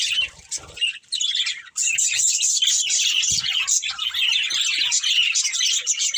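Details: Breeding pair of budgerigars chirping: dense, rapid warbling chatter of high twittering notes, nearly continuous after a brief pause near the start, with a few soft low knocks underneath.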